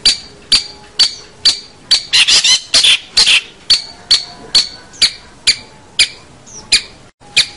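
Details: Long-tailed shrike song for training young shrikes: clipped high notes repeated about twice a second, broken by a short burst of harsh, noisy chatter.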